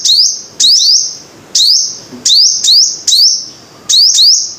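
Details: Sharp, high-pitched song of a five-coloured sunbird: rising slurred notes ending in piercing held whistles, some phrases doubled, repeated every second or so.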